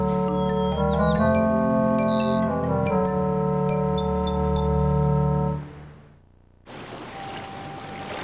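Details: Sustained keyboard and brass chords play, then fade to near silence before a hissy background with a faint steady tone; no animal voice.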